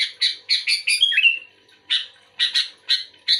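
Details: Sooty-headed bulbul responding energetically to a sluggish bulbul. It gives a quick cluster of bright chattering notes ending in a falling whistle, then spaced single harsh notes.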